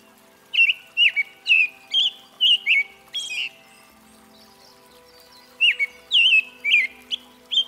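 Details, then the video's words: American robin singing: clear whistled phrases, each dropping and wavering in pitch, delivered in two bursts of about eight notes separated by a pause of roughly two seconds, over a faint steady hum. "Red-breasted Thrush Singing (American Robin) Zorzal Migratorio"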